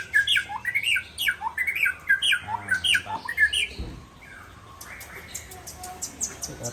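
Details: Aceh white-rumped shama being prepared for a singing contest, giving rapid repeated downslurred chirps near the middle of its range for about four seconds, then softer scratchy notes with faint background noise.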